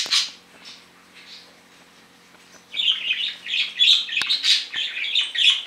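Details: Separated pet budgerigar, male: a sharp chirp and faint notes at first, then a quick run of buzzy, high warbled chirps that continues to the end.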